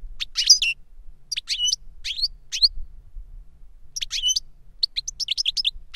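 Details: Caged European goldfinch song from a tutor bird that taught a young goldfinch via a CD of its song; bright twittering phrases of rapid chirps and sweeping notes in bursts, a quick run of repeated tinkling notes near the end, faint low background hum.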